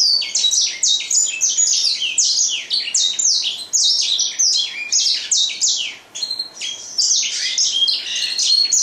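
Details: A grey singing finch delivers a long, continuous, energetic song of rapid chirps, trills and slurred whistles, densely packed and high-pitched, with one brief lull midway before the warbling resumes.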